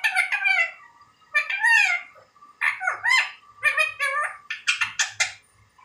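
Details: Indian ringneck parakeet talking like a human, giving a string of harmonic, speech-like syllables in uneven groups, ending with several sharp, clipped notes close together.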